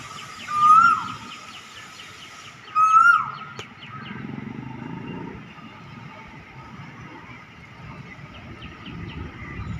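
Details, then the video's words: Two loud rising whistles from a cuckoo, each ending in a sharp downward slur, followed by several seconds of low rumbling background noise. "Sound of nature The Cuckoo"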